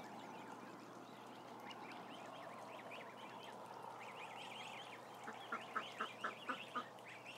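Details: Flock of around 1,000 ducklings on a live stream, rapid overlapping high peeps, then a series of about six louder pulsed calls near the end, all over a steady low hum.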